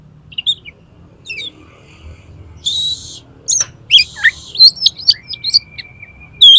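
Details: Oriental magpie-robin 'konslet' song played to provoke another magpie-robin into opening its tail: varied high whistles, two buzzy rasping blocks, then quick chirps and one long even whistled note, growing louder toward the end; faint low background hum.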